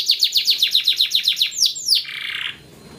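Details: Yellow canary singing for training: about a dozen evenly spaced downward-sweeping notes in a quick rhythmic series, two longer descending slurs, then a short buzzy tail.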